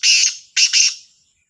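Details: Morning call of a black francolin from Sahiwal: two short, grating, rasping notes in quick succession, each a broad hiss-like burst, with no other sounds.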